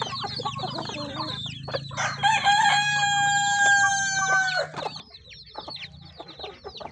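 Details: Chickens eating: peeps and clucks at first, then a rooster crows loudly, a long harmonic call lasting about two and a half seconds, before the high chirping of the feeding flock resumes.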